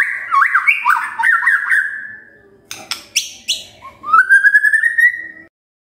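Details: Magpie-robin song played to coax birds into energetic singing: a rapid warbling run of whistled slurs trailing into a fading tone, several scratchy clicks, then a long, steadily rising clear whistle.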